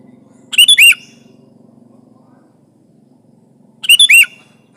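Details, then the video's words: Sooty-headed bulbul in lively song used to press a rival, a lure for trapping. Two bubbly phrases of three to four quick warbled chirps, about three seconds apart, over a faint buzzing hum. "Suara burung kutilang gacor menekan lawan, pancingan pikat kutilang ribut & kutilang diam"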